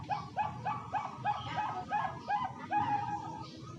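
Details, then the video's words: Caged Bangkok-type zebra dove from Jepara, Central Java, Indonesia, kept for song contests: a fast run of short, hollow cooing notes, about four per second, each rising then falling, ending in a longer drawn note, over low steady background hum. "Perkutut bangkok suara merdu"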